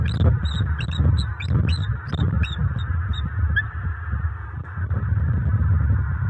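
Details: Mated bald eagles at a southwest Florida nest near Fort Myers, October 29, 2022, calling after dark around mating: rapid high chattering notes, about two per second, thinning out to a few isolated squeaks, with low steady hum behind.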